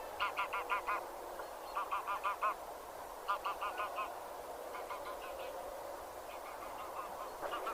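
Geese honk in quick bursts of four or five nasal, harmonic notes, a new burst every second or two, over a faint steady hiss.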